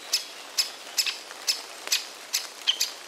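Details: A Great spotted woodpecker chick in a tree hollow begs with high, scratchy chirps about twice a second in a steady stream. A parent is nearby, and the other parent calls faintly in the background.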